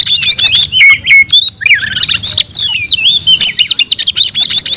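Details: Kacer (oriental magpie-robin) in energetic fighting song, delivering its full set of fill-ins: rich whistled swoops rising and falling, interleaved with staccato high notes repeated at a quick pace.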